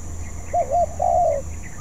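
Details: One short phrase from a young spotted dove learning to sing: two brief mellow coos run together, then a longer, slightly wavering purr, with faint bird chirps behind.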